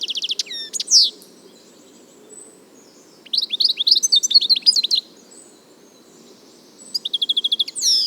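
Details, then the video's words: European goldfinch, a wild bird of nature in Palestine and the Arab world, singing: bursts of bright, high twittering and buzzy trills in three phrases separated by short pauses, over a faint low background hum. "صوت الحسون حسون ذهبي عروس التركمان طقطق شوك الحسون صافي من الطبيعة European goldfinch sound"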